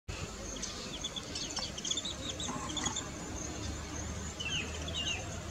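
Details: Weavers singing on their just-completed nests chatter in a busy mix of quick high chirps and short rising whistles overlapping steadily, over background hiss.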